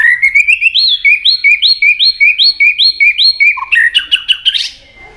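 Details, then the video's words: White-rumped shama in competitive song meant to provoke rivals, delivering a rapid series of about nine repeated upslurred whistled phrases, then a burst of harsher, buzzy high notes. "kích lửa cho chòe lửa căng lửa. chòe lửa tạch đập liên tục"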